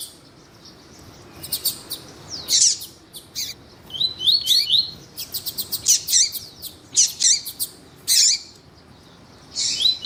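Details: Double-collared seedeater male with a female calling, played to warm up males for song contests; scattered sharp high chirps and clicks, short series of descending slurred notes, irregular bursts across ten seconds.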